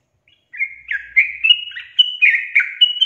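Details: Bulbul song used to coax a reluctant caged yellow-vented bulbul into singing: after brief silence, a string of rich warbled notes begins, slurred and gurgling, each phrase about a quarter second apart, clean background.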